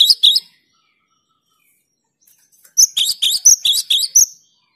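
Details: Cinereous tit (gelatik batu) singing clearly and persistently, a sound said to provoke rival birds: a short high two-note burst, a silent gap of about two seconds, then a rapid run of bright sharply pitched two-part notes.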